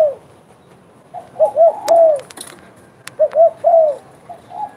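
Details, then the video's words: Two low, hoarse coo phrases from a spotted dove, each with two short notes and a longer falling note. Faint softer coos and a few sharp clicks are also heard. "derkuku gacor bekur bekur"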